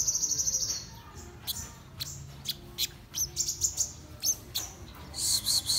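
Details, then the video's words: Morning song of a black-throated sunbird: a high, thin sizzling trill, then sparse, sharp, high chirps and short bursts of twitter separated by pauses, over quiet background noise. "Chim Hút Mật Họng Đen Hót Sáng"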